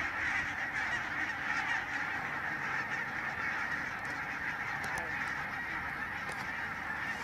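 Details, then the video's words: Barnacle geese massed in a huge flock at Stoomgemaal Nijkerk, Netherlands, from a growing non-migratory population; continuous overlapping high yapping honks form a steady roar, with a few sharp clicks near the end. "Zwerm brandganzen"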